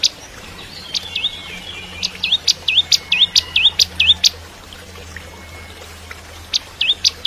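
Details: Bar-winged prinia (ciblek kristal) in active song, used to train magpie-robins. A long string of rhythmic, V-shaped chirps alternating with sharp chips, roughly two per second, fading briefly before a final short series.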